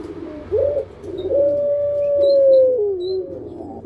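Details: Caged pelung-type puter, a Barbary dove kept as a hobby bird: a short coo, then a long, steady, drawn-out note held nearly two seconds that dips at the end.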